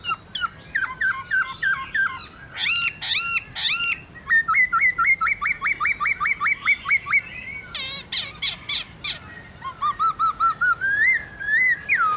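A laughingthrush sings a loud, varied song of ringing whistles, rapid repeated notes about four per second, harsh squawks and a closing rising phrase.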